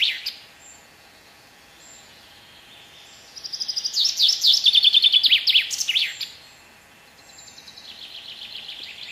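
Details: Common chaffinch (Fringilla coelebs) singing one bright phrase of about two and a half seconds: fast repeated notes accelerating and dropping in pitch, ending in a short flourish, with faint high calls before and after.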